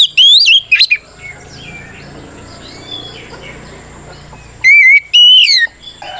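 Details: Fighting song of an oriental magpie-robin (kacer), used to goad other birds into answering: a burst of bright looping whistles, then a quiet gap with distant bird calls, then two long clear slurred whistles near the end.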